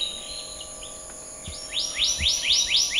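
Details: After a quiet start with faint notes, a black-naped monarch gives a run of five loud, sharply rising whistles at an even pace. A constant high-pitched background drone is present.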